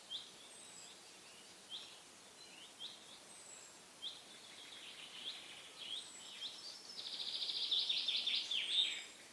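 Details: European bee-eaters on the bank of the Loire in May 2022: faint rolling, liquid calls at first, spaced a second or two apart. They grow into a louder, denser burst of trilled notes near the end against a steady hiss of background noise.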